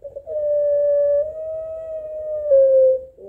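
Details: Barbary dove (puter pelung) in a calling exchange with a rival, holding one long, smooth, pure coo for nearly three seconds that dips slightly at the end.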